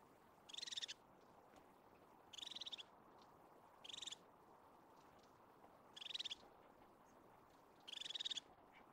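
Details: Wild crested tit in Highland pinewoods of Scotland repeating short churring trills, five bursts of rapid high notes at irregular intervals of one to two seconds, against faint background noise.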